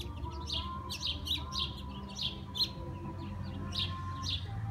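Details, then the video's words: After a heavy storm clears, sparrows gather in a persimmon tree and chirp. Quick high chirps come in loose clusters, with faint sustained tones and a low hum running underneath. "Chirping sparrows"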